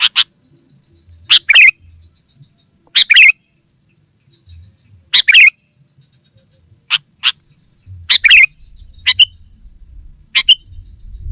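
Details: Sooty-headed bulbul lure calls meant to draw wild rivals: short sharp chirped notes in separate bursts about every one to two seconds, with quiet low background rumble.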